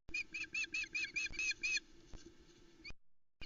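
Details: Osprey calling at the Loch Arkaig nest, Scotland, morning of 17 July 2020, as the male arrives with a trout and the female calls nearby: about eight high, thin, evenly spaced, slightly downslurred whistled chirps, then soft wind and rustling.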